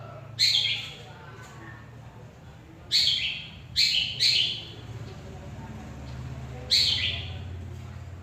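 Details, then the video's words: Long-tailed shrike, said to imitate the song of any bird, giving scattered loud, harsh, grating notes, one single, then a close pair, then another after a pause. "Burung CENDET ,Bisa Meniru Kicauan Burung apa saja"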